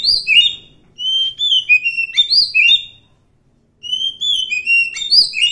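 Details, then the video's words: Wild Oriental magpie-robin singing clear whistled phrases that slide up and down, with two bursts of varied notes separated by a short pause, against a quiet background. "suara asli kacer hutan"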